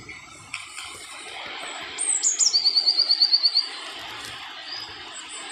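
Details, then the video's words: A European robin in Wales, UK, recorded in 2014, sings a high phrase: a descending thin whistle, then a fast trill of about a dozen clipped notes, over a soft background hiss. "Pisco-de-peito-ruivo (Erithacus rubecula)"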